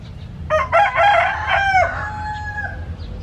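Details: A chicken crows loudly and clearly: several stepped, harsh opening notes build into a long sustained tone that trails off, over faint low background hum.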